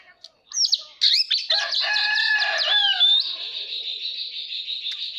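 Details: Oriental magpie-robin singing while displaying gives sharp upslurred whistles, then a rich jumble of warbled notes that slides into a long, steady buzzy trill. No other sounds intrude.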